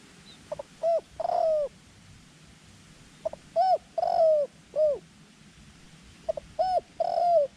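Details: Decoy dove calling to draw in wild doves: three quick phrases, each two short notes rising into a loud, sliding, downcurved coo, spaced roughly three seconds apart.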